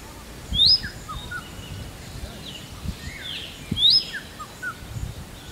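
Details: Indian robin giving two bright rising whistled calls about three seconds apart, interspersed with softer descending chirps and faint low thumps in the background.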